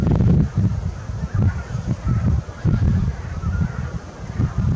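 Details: Many geese of a large flock calling on 8 April 2021, with low honks in irregular clusters separated by short dips and a faint, constant hiss.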